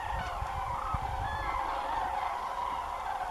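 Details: Large flock of common cranes flying over farmland beside Doñana National Park, Spain, at the end of the day: a dense, continuous chorus of overlapping trumpeting calls, with low rumbling wind noise underneath.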